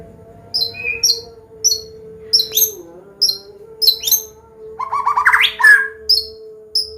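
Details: Medan white-rumped shama combination song, played to coax young birds to sing along. Short, very high chip notes spaced about half a second apart, then a rich burst of rising whistled notes, over a low steady hum.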